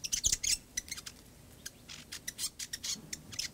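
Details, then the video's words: Fantail calling in a backyard, giving quick high squeaky chirps and clicks, a burst at the start then scattered single ticks and short notes. "Birds In Backyard Fantail"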